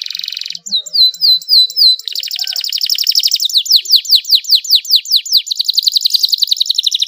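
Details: Vigorous canary song with long rolls and fancy melodic turns in a clear voice, meant to stimulate silent canaries to sing. A buzzy trill and a brief pause lead to rapid high notes, then rolling phrases and a run of falling whistles.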